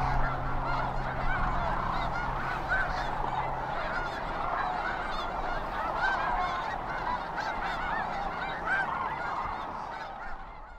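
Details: Thousands of Sandhill cranes (Antigone canadensis) in a dense, unbroken flock chorus of rolling, rattling bugles, a low rumble beneath at first; migration stopover on the Platte River near Kearney, Nebraska, mid-February to early April, birds coming in or leaving in the morning.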